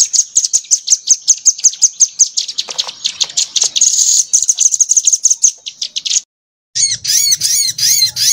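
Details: Crimson sunbird tutor recording made for training songbirds: a fast run of thin, high chipping notes repeated several times a second. A short silence follows, then a burst of harsher, down-curved chattering notes over a low hum.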